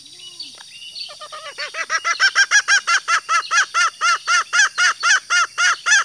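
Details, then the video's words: Female green junglefowl call meant to draw out calling males: after a few soft lead-in sounds, rapid clucking arched notes build up and repeat steadily, roughly four per second, with a constant high hiss behind. "Masteran suara betina ayam hutan hijau super ampuh untuk memancing suara pejantan"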